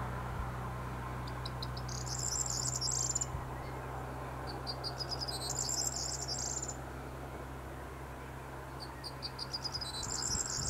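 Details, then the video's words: Corn bunting (Emberiza calandra) at Foxton, Cambridgeshire, 6 May 2018, sings three times, each song a few quickening ticks running into a high, dry, jangling rattle, about every four seconds, over a steady low rumble. "Corn Bunting"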